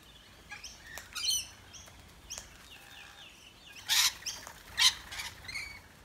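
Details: Wild rainbow lorikeets visiting an Australian backyard, chattering as they eat, give high, scratchy chirps and two loud, harsh screeches about a second apart, amid quieter chattering notes.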